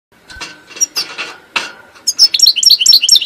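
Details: European goldfinch song: after clattering, clinking noises, a rapid run of high, tinkling twittered notes sets in and repeats quickly to the end.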